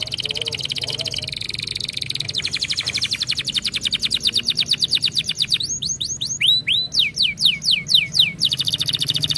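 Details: Singing canary keeps up a rapid, even, buzzing trill, then switches to a series of loud whistles sweeping sharply downward, about two per second, before returning to a fast trill.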